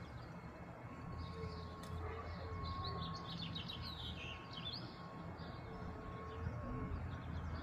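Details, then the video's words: House finch, a male, singing in a way that sounds like an American robin's song: faint, quick chattering phrases of high twittering notes, with a steady low rumble and a hum throughout. "is a #HouseFinch sings like a Robin"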